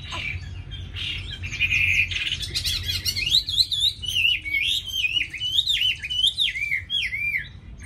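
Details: Caged, tamed Chinese hwamei in Hanoi, Vietnam: harsh rasping notes at first, then a long sequence of loud wavy whistles rising and falling in rapid rhythmic loops.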